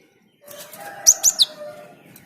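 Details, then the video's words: Java sparrow singing actively to prompt other birds to join in: a quick burst of three sharp, high, ringing notes, the last dropping lower, over a faint steady low hum. "Gelatik gacor perangsang burung lain ikut gacor"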